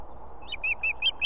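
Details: Female osprey at her nest in Estonia with two chicks, calling the male to deliver food on an evening. A rapid string of six shrill, piping notes grows louder toward the end.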